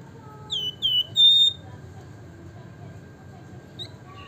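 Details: Javan fulvetta (Alcippe pyrrhoptera), locally wergan jawa, whistling nyiul-style: three pure high notes falling slightly in pitch, each a little longer than the last, followed by near silence with a faint hum.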